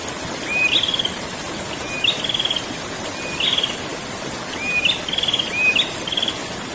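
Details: Ngerol rolling song of a prinia: rising whistled notes, each run into a rapid stuttering trill, repeated in regular phrases roughly every 1.3 seconds against a steady rushing hiss.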